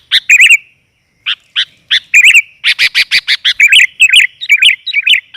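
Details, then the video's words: Female sooty-headed bulbul calling to lure males: warbled notes, then a run of short sharp chirps about every quarter second, followed by rolling bubbly phrases. "BURUNG KUTILAN GAJOR, COCOK UNTUK PANCINGAN"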